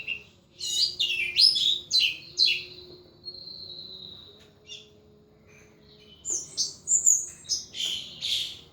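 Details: Captive pet thrush singing ngeplong style: quick rising and falling whistled slurs, a held high note, a pause, then a fresh run of rapid bright notes.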